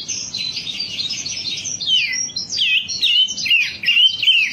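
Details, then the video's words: Wambi in full song, recorded as a lure: a buzzy burst of high chatter opens, then turns into clear whistled swoops that dip and rise, repeated quickly. "Suara pancingan burung wambi agar cepat gacor"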